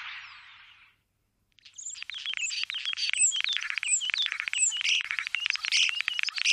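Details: Common starling near Wittlich, 2017, singing a dense stream of rapid clicks, rattles and short high whistles that overlap in quick succession after a brief hissy opening and a moment of quiet.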